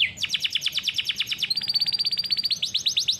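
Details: Canary training song: a fast, regular trill of descending notes, then a quicker, higher and steadier trill, closing with louder downsweeping notes, all clean and high-pitched.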